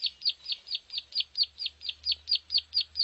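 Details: Plain prinia lure call used to attract wild birds in rice fields: sharp, high, downward-slurred chirps repeated steadily about four times a second, thirteen notes in all, with a faint low hum underneath.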